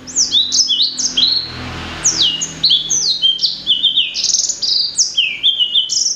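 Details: A blacksang, a blackthroat × sanger hybrid cage bird, sings a fast, continuous run of sharp, high whistles, many sliding downward, several per second, with no other sounds.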